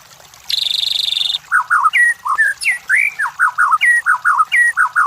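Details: White-rumped shama song used as a lure for competition birds: a sustained buzzy rasp, then a rhythmic series of paired whistled notes mixed with higher sharp calls and slurred phrases.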